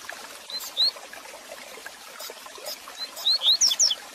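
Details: Double-collared seedeater song for warming up and teaching a caged male: a lone early whistle, then near the end a brief run of sharp rising and falling whistles, over background hiss.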